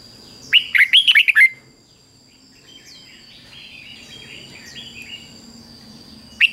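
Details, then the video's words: Red-whiskered bulbul, a cage bird, sings a 'beun' doubled phrase in the fik-jik-fok style used to train young birds. A rapid burst of six sweet, slurred whistles opens the clip, then faint distant chirps from other birds follow, and a note returns at the end. "นกเบิ้ลอาชีพง่ายๆ ฟิก-จิก-ฟก ล้วนๆ"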